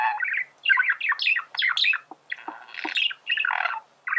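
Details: Male budgerigar singing as a model for teaching birds; fast chattering warble of rising and falling chirps with a few low clicks, nearly continuous.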